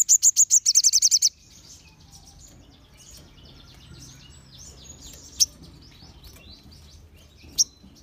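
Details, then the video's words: Several crimson sunbirds singing together, used to provoke other sunbirds into answering; opens with a loud, rapid series of very high chipping notes for just over a second, then faint high twittering with two isolated sharp chips. "Sogon Ombyokan Pasti Langsung Nyaut Dan Gacor"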